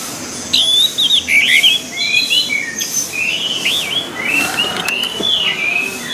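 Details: Varied song of an orange-headed thrush, used as a training track for the species: clear, fluid whistles and slurred notes, rising and falling, delivered continuously over a steady background hiss.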